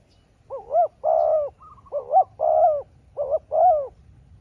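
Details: Spotted dove calling back and forth with a rival wild dove that has a smaller voice. Deep, hooting two-part coos come in short bursts with brief gaps, and a fainter, higher chattering note sits between them.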